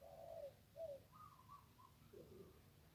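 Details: Zebra dove by the Ping river in one-kuk singing style: a rolling trilled coo and a short clipped note, then fainter, softer notes over a steady background hiss.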